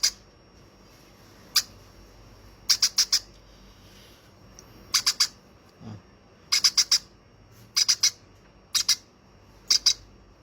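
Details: Baby conure, hand-fed, squawking in fast bursts of three to four shrill notes and some single calls, with a brief low thump midway; otherwise quiet indoors.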